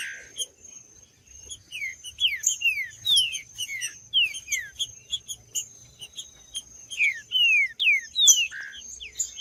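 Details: Green-winged saltator singing to stimulate males: clear whistled, down-slurred phrases repeated in quick series, several overlapping notes with a steady high thin tone running throughout and faint low hum beneath.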